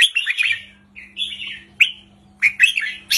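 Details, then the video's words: Red-whiskered bulbul kept in a cage, giving a short counting-style 3-4-5 song: bright warbles, a drawn-out whistle, a sharp single note, then another quick warbled phrase, over a low electrical hum. "นกกรงหัวจุกริกมันส์ เพลงสั้นๆ ร้องง่ายๆ สไตล์นับดอก 3-4-5 เปิดยั้วนกฟังนกคึก"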